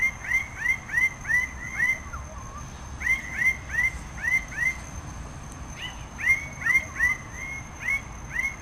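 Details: Red bird-of-paradise (Paradisaea rubra) delivering rapid bursts of short ringing upslurred notes, about three per second, broken by brief pauses, over a faint constant high-pitched whine.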